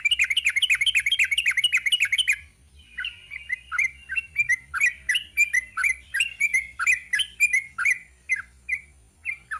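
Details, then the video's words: Sooty-headed bulbul, called trucuk locally, giving ropel panjang song: a dense, fast, rattling burst of chirps for two seconds, followed by a looser series of clear slurred notes. "Kicau TRUCUK ROPEL PANJANG"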